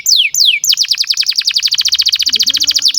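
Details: Canary sings two falling slides, then a rapid even trill of repeated sweeping notes at about fifteen per second, a training master for young canaries, faint low sound late on.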